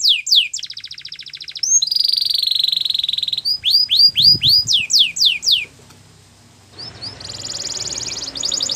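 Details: Canary song for training young canaries, Belgian style: a buzzy rolled trill, a run of separate downward sweeps, a quiet gap with background noise, then another high rolling trill.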